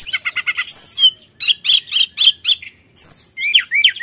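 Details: Sulingan in full song, played as a lure for other birds: a fast stutter of repeated notes opens into sweeping high whistles, pulsing chirps and upward-curving slurs, with short silent gaps between phrases.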